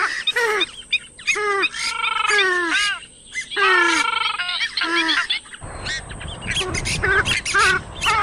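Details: Oriental reed warbler giving harsh, gravelly, down-slurred croaks in quick bursts, some notes strung together into a grating chatter, followed by a noisier stretch of rougher chattering notes with a constant high hiss behind.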